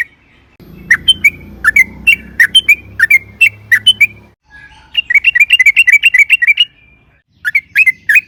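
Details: Yellow-vented bulbul singing to provoke other bulbuls into song: bright whistled slurred notes, spaced at first and then in a dense rapid run, followed by another short burst, over a faint low hum.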